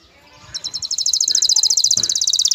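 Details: Male canary in breeding condition calling a female to mate, delivering a rapid, evenly pulsed high trill of about twenty-five notes that starts after a short quiet lead-in and ends on a dropping note.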